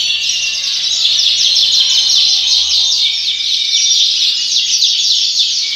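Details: Yorkshire canary in a breeding house, giving a dense, high-pitched warbling song of quick chirps and rapid trills that runs without pause, with many other birds chattering together behind it.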